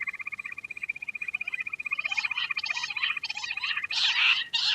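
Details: Queen quail giving a fast, even, pulsing trill that gives way to louder, harsh, scratchy bursts of chatter toward the end.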